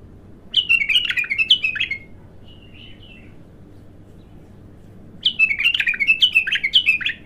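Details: Raw bulbul on its first singing: a lively, jerky phrase of rapid, falling whistled notes, a soft quiet bit in between, then a second, longer run of chattering, rolling notes.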